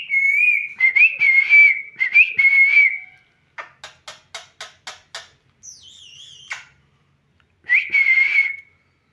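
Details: A parrot gives wavering whistles in short bursts, then a rapid string of about ten clicks, a higher double-toned whistle, and a final warbled whistle.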